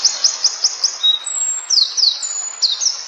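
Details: Flowerpecker singing: thin, very high chirps repeated about five times a second, then long level whistles and sharp downslurred notes, over a soft background hiss.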